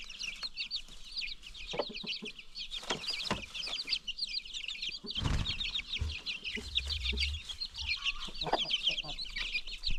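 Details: Free-range chickens and new baby chicks on a farm: continuous high, twittering chick peeps with scattered clucks, interrupted by a loud low bump and rumbling near the middle.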